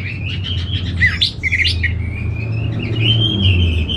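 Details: Orange-headed thrush kept in Singaraja, Bali, sings a sustained warbling phrase, with a quick chattering burst at the start and a long wavering whistle that carries to the end, over a low hum.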